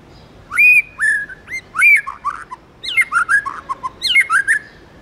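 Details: Tame white-rumped shama singing in the wild-style 'forest voice' manner: loud, clear whistled phrases that slide and rise, broken into short bursts with brief pauses, some notes rich and ringing, over a quiet background.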